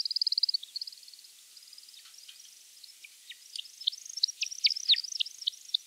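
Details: American woodcock (Scolopax minor) spring display flight, a sure sign of spring: a fast, high twittering trill, then a run of sharp, liquid chirps that grow louder, uneven and bubbling, with no other sounds.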